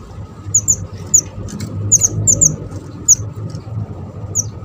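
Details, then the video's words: Java sparrow for luring and trapping birds: clusters of thin, high, slurred chips, some doubled, against a low engine-like hum. "burung mantenan kecil / jawa gacor cocok buat pancingan dan mikat"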